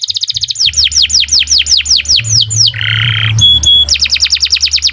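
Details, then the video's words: Singing canary, recorded as a tutor for songbirds: rapid clipped notes give way to repeated downslurred whistles, a harsh buzzy rattle, a few pure high tones, then quick sweeping notes again. "Kicau Burung Kenari 156 II LUAR BIASA GACOR PANJANG Cocok untuk Masteran"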